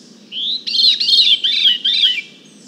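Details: Veery recorded at a distance of 100 feet through a parabolic microphone, singing a clear, fluty phrase: a rising opening note, then a string of breezy, downward-spiralling rolled notes over about two seconds, with soft low background hum.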